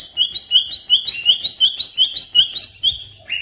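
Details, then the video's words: Greater green leafbird, a pet songbird, giving a steady fast series of about sixteen identical bright two-part whistled notes, evenly repeated, ending with a short lower note; used as a lure song. "Pancingan Burung Cucak Ijo Stresss"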